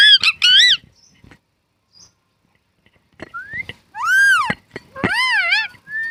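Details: Pet parrot talking, repeating short mimicked words: rich, harmonic arched syllables rising and falling in pitch, delivered in quick bursts separated by pauses, with a few faint clicks.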